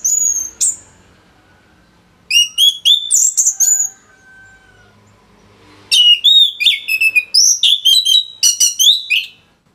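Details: Orange-headed thrush delivering a dense, varied song for tutoring songbirds: high slurred whistles and rapid chattering notes in long, fast sequences, with short quiet gaps between bursts.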